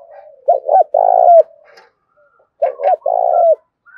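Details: Decoy spotted dove singing a full loud song in the Thổ Đồng style: two phrases, each made of two short throaty coos followed by one long, even, low coo that ends with a slight upturn.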